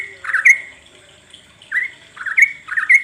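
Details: Sooty-headed bulbul song used as a lure to get birds singing: short, clear mid-pitched chirping notes given singly, then in a quick run of three near the end, over a quiet background.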